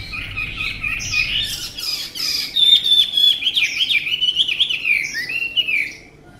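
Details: Tame Chinese hwamei praised for its fine voice, singing a rich, fast run of varied whistled phrases. The notes warble up and down, with a clearer sustained whistled stretch in the middle, over a quiet background.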